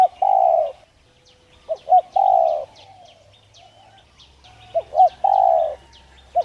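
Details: Spotted dove giving its urging coo, played to stimulate decoy doves to coo quickly; mellow low phrases of two short notes followed by a long drawn coo, repeated with pauses, while faint chirps of small birds continue above.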